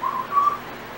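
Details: Female Timneh African grey kept as a pet gives a brief learned whistle: two steady, pure whistled notes at similar pitch, the second longer and a touch higher, in a quiet indoor setting.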